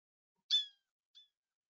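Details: A Blue Jay, a common bird of parks and urban areas that can mimic hawks, gives its harsh, nasal screech, then a shorter, fainter second note about half a second later.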